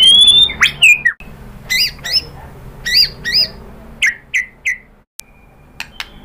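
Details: Energetic white-rumped shama lure song for drawing replies from other birds: a high thin whistle, then strong sharp notes and downslurred chirps in small groups, quieter toward the end.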